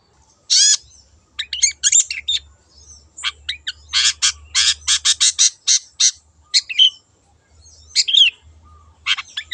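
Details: Long-tailed shrike, a wild bird, in a lure recording: a long, fast, chattering run of harsh and twittering notes, dense in the middle, with a faint low hum behind.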